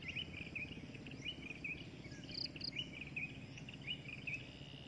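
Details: Drongo, a breeding adult, repeating short downward-slurred whistled chirps every second or so, with a pair of high clipped pips midway, over faint noise.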